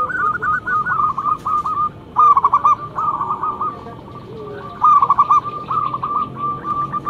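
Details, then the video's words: Local zebra dove with a loud lure song, repeating phrases of stuttered coos, each opening with a strong burst and fading into spaced rolling notes, about every two to three seconds. "Perkutut lokal gacor mental bagus suara NYARING pikat super"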